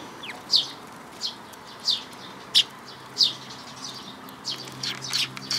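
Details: Sparrows at a Tenmangu shrine on 5 May 2022 utter clear, separate high chirps about every half-second to second. Softer, fainter chirps follow toward the end.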